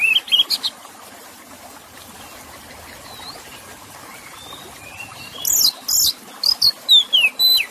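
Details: Oriental magpie-robin (kacer) singing with trickling water in the background: after a quiet stretch, a run of loud, sharp chirps and short bursts is repeated about three times a second, with high sweeping whistles between them.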